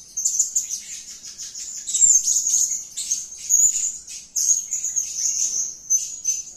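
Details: Blue-crowned hanging parrot, gacor and calling, delivers sharp, high, squeaky chirps in several dense bursts, each starting abruptly and then trailing into thinner twitters.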